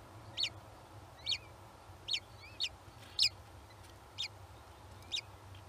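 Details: Kestrels at a nest where young are hatching; short sharp high calls repeat roughly every second, about seven in a row, over a steady low hum.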